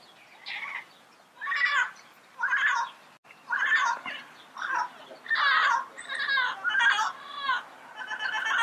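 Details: Yellow-headed amazon squawking repeatedly, a series of about ten harsh, ringing calls roughly every half second to second, some with a rising, wavering tone.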